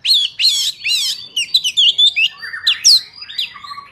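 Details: Oriental magpie-robin singing in its wild forest style, a recording meant for trapping and for training young birds' song: bright, varied whistled phrases, swooping slurs and quick warbles in short bursts, with brief pauses between them.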